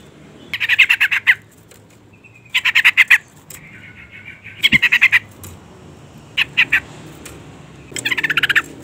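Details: Female sooty-headed bulbul calling to provoke a male into singing: bursts of rapid harsh chattering notes, each burst under a second, repeated every two to three seconds with faint whistles between.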